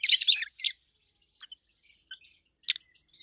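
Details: Two adult pet rosy-faced lovebirds, a red-head green opaline and a white-head pallid aqua opaline, over a year old, giving loud, shrill chirps: a dense burst of harsh notes at the start, then scattered thin high tweets.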